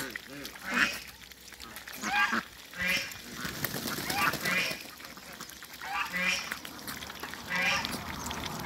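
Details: Muscovy ducks on a farm, with talk of creating a new hybrid: harsh, nasal calls with many harmonics, repeated every second or so, some overlapping, among other farm fowl noise.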